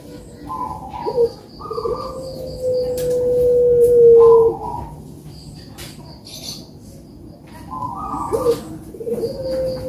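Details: Quiet puter dove song for prompting lazy birds to call: short coos and one long, level drawn-out note, with faint wing flutters.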